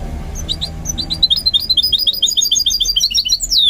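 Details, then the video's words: Goldfinch mule practising its song, a brisk series of high tinkling chirps building into a fast twitter with a final downslurred whistle. "What I Learned from Training My GOLDFINCH Mule to Sing"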